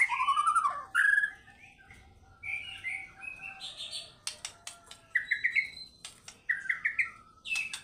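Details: Energetic fighter-type singing from a White-rumped shama showing its varied repertoire. Pure rising whistled trills alternate with short clicks and snapping notes, then bright upslurred phrases repeat twice, separated by brief pauses.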